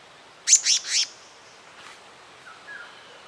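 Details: A nesting male and female pair of black-naped monarchs (Hypothymis azurea): three quick, harsh, high rasping notes in under a second, followed by faint softer chirps in a quiet background.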